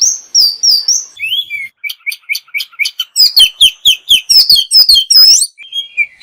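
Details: Kept Oriental magpie-robin singing a tutoring song of fill-ins and bursts. Clear high whistles open the clip, then a fast series of sharp repeated chips and slurred notes, about two per second, ending with a falling whistle.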